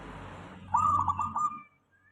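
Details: Local zebra dove song played as a lure to draw other doves into answering: one short burst of rapid, bubbling cooing notes lasting under a second, over a faint low hum.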